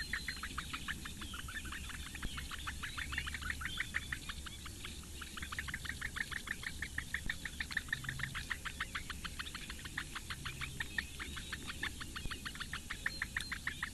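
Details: Nest webcam in Latvia's Lake Engure reedbeds, May 2017 morning feeding: four Eurasian bittern chicks give a long, regular stream of rapid tick notes, many each second, with a steady low hum underneath.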